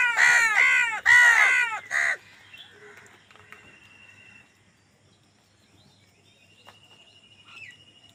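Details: Three loud, hoarse crow caws in quick succession, each roughly half a second, given while fighting for food; afterwards quieter distant chirps and thin whistles.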